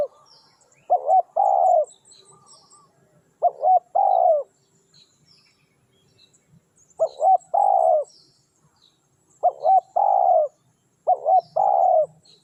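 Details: Decoy spotted dove luring wild doves: low mellow coos in repeated phrases of two or three notes, a short note then a longer drawn one, every two to three seconds, with faint high chirps of other birds.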